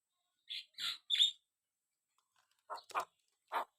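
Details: Javan myna giving three squeaky, grating notes in quick succession, then a silent gap and a few lower, rough chacking calls.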